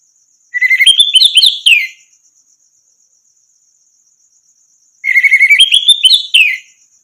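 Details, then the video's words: Orange-headed thrush training song meant to make stalled birds answer and sing: two separate phrases, each opening with a level whistle and climbing into fast jumbled, chattering notes, with long silences between and a faint high steady hiss. "masteran burung anis merah macet bunyi langsung nyaut gacor"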